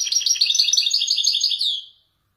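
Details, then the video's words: Caged male Widani goldfinch, Moroccan, performing authentic Marrakech-style descents: an unbroken two-second run of bright, fast, jangling twitters that fades at the end. No other sounds. "حسون ويداني يتفنن بالنزولات المراكشية الأصيلة"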